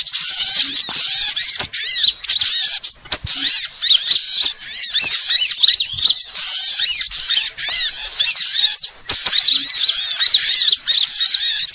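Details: Sunbird calls from several kinds, played to draw birds in: a steady wall of thin, squeaky chirps and fast looping twitters, interrupted by crisp clicks and a few short breaks.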